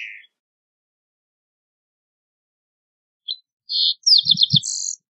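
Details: After a long silence, a Green-tailed towhee sings a short phrase: a single high chip, a buzzy note, then a fast stuttering trill and a closing buzz, with a couple of low soft thumps beneath.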